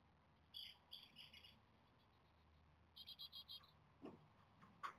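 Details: Seventeen-day-old Japanese tit nestlings begging for food in the nest, fledging perhaps due the next day. Two runs of rapid, high, buzzy chirps repeat several times a second, separated by a short quiet gap, with faint knocks.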